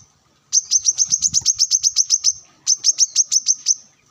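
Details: Sunned brown-throated sunbird singing energetically to call rivals, wild birds around: a rapid burst of about fourteen sharp high chips, a brief pause, then a second run of seven.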